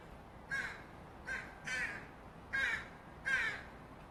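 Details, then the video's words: Young Northwestern crow begging for food from offscreen: five rough, grating caws with uneven gaps, some calls drawn out longer than others, over light background noise. "Interesting fledgling crow begging vocalizations (crow sounds)"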